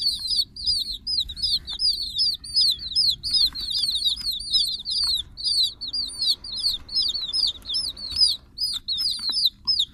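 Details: Chicken chicks keep up high, down-slurred peeps in quick uneven runs, clustering into bursts with short gaps, over a soft steady low background hum.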